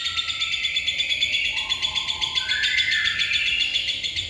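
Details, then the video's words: Lovebird bocor isian, an unbroken high chattering trill of quick pulses held steadily throughout, with faint whistled tones sliding underneath. "love bird bocor isian"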